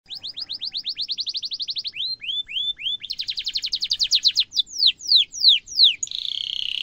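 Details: Canary rolling song, used to tutor young canaries: a fast, sharp high trill of repeated falling notes, then slower swooping whistles and a brief buzzy ending.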